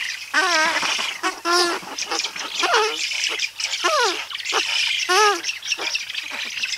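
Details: Adult spoonbill close up giving 'trumpeting' calls: hoarse, harmonic-rich notes that bend up and down, uttered in short bursts about once a second, over a background of thin, high chattering.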